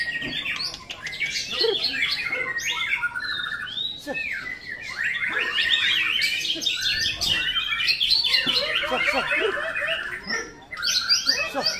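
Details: White-rumped shama at a bird singing practice contest with many good birds present, pouring out a long, rich, varied song of fast whistles, trills and chattering phrases, loud and nearly continuous.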